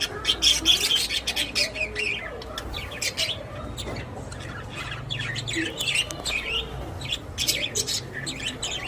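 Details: Several caged pet budgerigars, described as happy, keep up busy high chirping and twittering, loud bursts early then a steady stream of overlapping notes.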